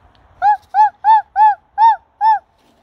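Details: An owl gives six loud, clear, arched notes in quick succession, roughly three per second with a small gap before the fifth, against an otherwise silent background.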